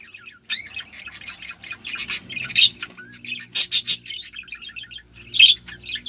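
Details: Budgerigars (Melopsittacus undulatus) give mating sounds used to stimulate breeding: a rapid, scratchy warble of high chirps and squawks.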